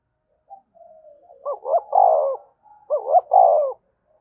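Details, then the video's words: Spotted dove cooing to stimulate other doves to coo. A faint, soft trailing note precedes two clear phrases, each a quick pair of upslurred notes and then a sustained, falling coo, delivered about one and a half seconds apart. "cu gay kich boi nhanh noi gù"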